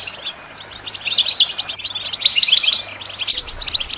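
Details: European goldfinch singing for bird training: fast jumbled tweets and metallic twitters, with a few clear whistled notes scattered through, over faint background hum.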